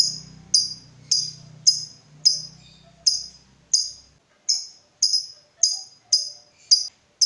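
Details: Lovebird lure recording of the 'ngekek' style meant to stir other lovebirds to sing: sharp, high, separate chirps repeated about twice a second, over a low hum for the first few seconds.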